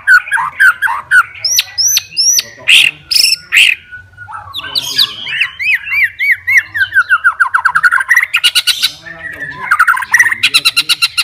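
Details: White-rumped shama, described as a super fighter bird seeking a rival, singing a long varied song of sliding whistles, rapid repeated chirps and harsh bursts, with dense trills near the end.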